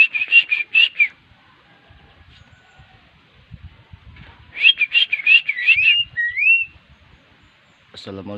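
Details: Asian pied starling taught to give a greeting: two bursts of several rapid, clipped, voice-like syllables, the second ending in whistled rising and falling slurs, separated by about three seconds of quiet rustling; a brief harsh sound at the end.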